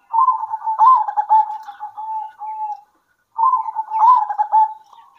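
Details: Local zebra doves singing back and forth at midday, two phrases of quick fluttering coos rising to a louder trilled burst and fading into level drawn-out notes.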